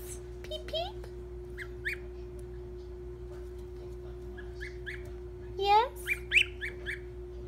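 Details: Brown Chinese goslings, 13 days old, peeping while being held and petted during daily gentling, May 21; thin rising peeps scattered through the clip, a cluster near the end, with soft human voice and a steady hum.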